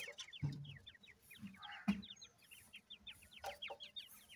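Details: Grey francolin chicks from a cross of a gora teetar male and a dakhni teetar female chirp together in rapid overlapping short peeps, over low thumps and a few louder knocks.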